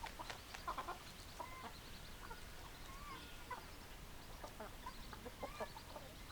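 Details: Hens and roosters with quick repeated clucks and a few drawn-out thin notes, irregular and overlapping, heard over faint steady background noise.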